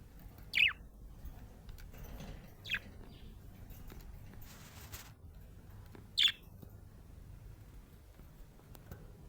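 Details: Happy budgerigar chirping: three separate sharp, high descending chirps spaced a few seconds apart, set against a quiet low background.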